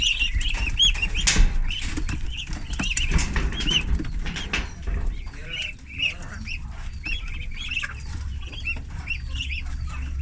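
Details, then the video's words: Thirty ducklings at feeding time on a farm, giving many high, thin peeps that rise and fall in quick overlapping bursts, over constant low rumbling, wing flaps and a sharp knock. "My 30 Head Ducklings ep.3"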